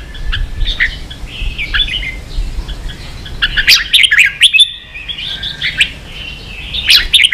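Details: Red-whiskered bulbul kept as a cage bird in Vietnam, provoked into heated competitive singing; bright warbled phrases in short bursts with sharp chirps, denser notes near the start and end, and a low hum underneath.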